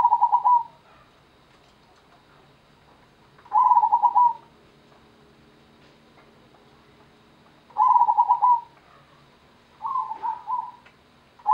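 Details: Zebra dove of local stock (perkutut) giving its Gendowo Sabdo rhythm: loud, rapidly pulsed coo phrases about four seconds apart, plus one softer, wavering phrase near the end.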